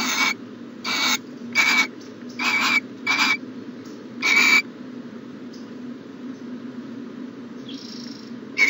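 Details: Owl in its nest box on the morning of January 14, 2020, repeating short, noisy hissing screeches about every half second, six in a row, then a softer faint sound and one final burst, over a low hum.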